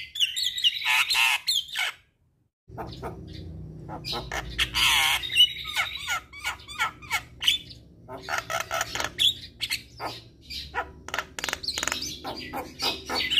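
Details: Javan myna song, played as therapy for a stressed myna that has stopped singing: harsh squawks and buzzy chatter mixed with whistled notes, a brief pause near two seconds, then dense irregular chirps over a low background hum.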